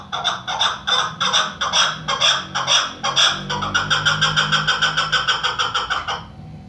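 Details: Female chukar partridge, called the national bird of Pakistan, giving loud harsh clucking notes that speed up into a rapid, even chatter of repeated chuk notes before stopping abruptly.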